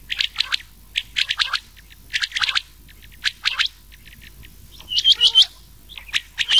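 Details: Rain quail voice mixed with an old quail's voice, prepared for night-time rain quail hunting in summer: bursts of sharp, high chirping notes in quick clusters, separated by short pauses, with a few faint twittering notes near the end.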